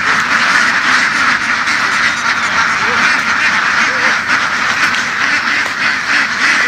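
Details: Laying ducks kept by western Vietnamese farmers and run through the fields; a crowded chorus of rasping quacks pours on without pause, a few lower nasal notes standing out.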